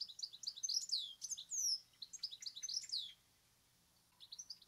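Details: European Goldfinch, a UK garden bird, pouring out a fast, tinkling jumble of high twittering notes and liquid trills, with a brief pause before a few more chirps.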